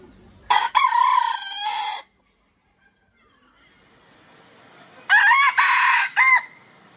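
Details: Rooster crowing twice, each crow a loud, harmonic cock-a-doodle-doo of about one and a half seconds that opens with short stuttered notes, separated by a few seconds of near silence.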